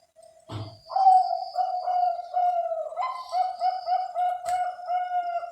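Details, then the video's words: Captive zebra dove of the Bangkok perkutut line, kept by breeders around Cilacap, Central Java, Indonesia, gives a low, steady, burbling coo. A soft click comes first. Long warbled notes then run into a string of quick pulsed coos. "SUARA PERKUTUT BANGKOK"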